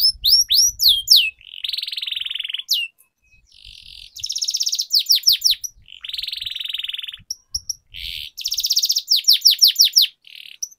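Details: Canary singing training song with long rolls: short bursts of sharp upswept notes broken by dense buzzy trilled rolls lasting about a second each, some soft low knocks underneath.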